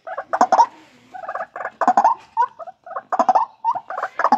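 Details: White-breasted waterhen from a breeding colony giving repeated rough, honking croaks in clusters of three or four, with short breaks between groups.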